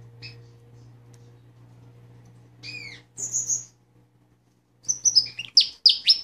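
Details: Pet Fife Fancy canary, a male, singing over a low steady hum: scattered high chirps and a short buzzy trill, then a burst of quick sweeping notes at the end.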